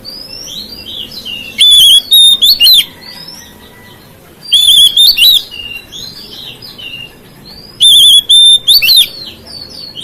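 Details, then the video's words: Oriental magpie-robin song said to provoke other magpie-robins: three loud bursts of rapid, quavering high whistles ending in upslurs, roughly three seconds apart, with softer chirps and whistles between. "KICAUAN KACER MEMICU EMOSI KACER LAIN"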